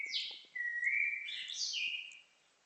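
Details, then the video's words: A bird singing a clear whistled phrase: a sharp high note, then long level whistles that step up and down, with a brief buzzy trill near the end before falling silent. "Singing bird"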